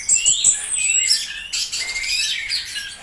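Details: Orange-headed thrush song with quick high whistles and rising slurs, then a dense stretch of twittering and mimic-like notes, continuous and bright.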